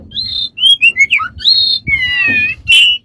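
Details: Several pure whistles, level, rising and falling, come from a bird with many strange sounds, then a longer drawn-out note and a final squeaky whistle over a low background hum.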